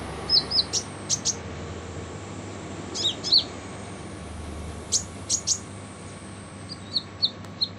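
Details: Sunbird known locally as kolibri ninja, its harsh song used as a training recording for other cage birds: sparse, sharp, very high chirps and short double notes in scattered bursts over a steady low hum.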